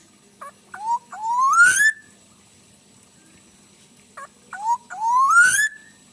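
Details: Black-naped oriole singing: short clipped notes lead into a long rising whistle that ends in a harsh burst, the phrase repeated after about three seconds of quiet over a faint low hum.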